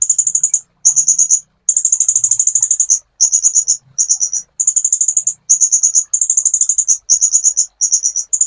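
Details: Sunbird singing on a master training recording: fast, high-pitched trilled phrases, each under a second, repeated almost without break, with faint low thumps beneath.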